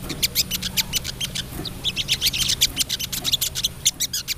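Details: Female crested jay, lively, calling the male: continuous rapid high-pitched ticking rattle, slightly louder and denser near the middle, over a low hum.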